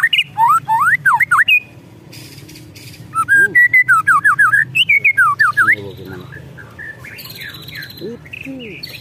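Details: Agitated white-rumped shama giving ketrekan calls: bursts of sharp, steeply sweeping whistled notes in fast series, harsh buzzy chatter between, then quieter scattered notes with a low background hum.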